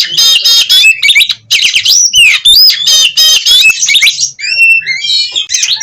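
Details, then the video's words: Wing-flicking, tail-spreading Oriental magpie-robin (kacer) singing energetically: dense bursts of harsh rattling notes mixed with swooping whistles, tailing off into thin, high, drawn-out whistles. "Burung Kacer Gacor Konslet Ngobra Bukor Stabilkan Birahi dan Emosi"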